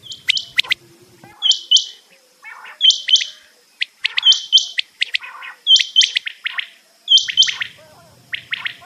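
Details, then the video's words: Quail (batair) call played as a hunting lure: short bright chirping bursts repeated about every one and a half seconds, mixed with sharp clicks and a low hum early on. "batair hunting"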